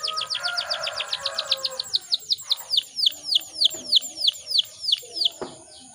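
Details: Female canary in breeding condition, calling to lure males to sing: a fast ripple of high downslurred notes slows into spaced, crisp chirps, with faint low background noise and a sharp click near the end.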